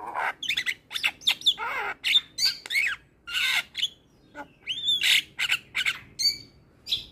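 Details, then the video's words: Javan myna in gacor song, played as therapy for silent or stressed mynas: jerky harsh squawks, grating chatter and twisting whistled notes delivered in quick irregular bursts. "Jalak kebo gacor"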